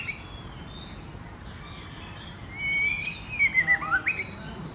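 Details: Female white-rumped shama, kept as a cage bird, singing to provoke males to sing and fight: quiet at first, then clear whistled phrases that slide and rise, followed by a quick run of short notes near the end.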